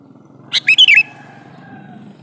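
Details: Male sooty-headed bulbul calling a female: one quick phrase of four short, clear whistled notes, the first sharp and the rest rising and falling, lasting about half a second over a faint low hum.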